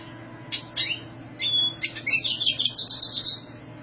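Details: Black siskin in full high song: a few separate chirps and a thin whistle, building into a quick, rhythmic series of sweet, twittering high notes.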